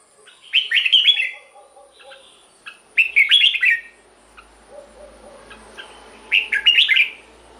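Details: Caged red-whiskered bulbul song for rousing other birds: three lively warbled phrases, each a quick cluster of slurred whistles, spaced about two to three seconds apart, with softer chirps and a low murmur between.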